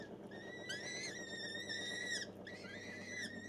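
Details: Captive-bred gyrfalcon hybrid calling: two long, harmonically rich whining notes that rise slightly, hold level and then dip at the end, separated by a short pause, with low background hum.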